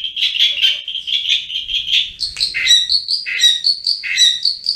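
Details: Long-tailed shrike in full, vigorous song for use as a master recording, with high, fast, scratchy chattering notes repeated in bursts, then rising to sharper, more varied whistled notes.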